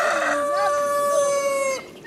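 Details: A newly bought rooster in a village near Taşköprü, Kastamonu, Turkey, in February, gives one long, strained crow: a rough, rising start settling into a steady ringing note held nearly two seconds before breaking off.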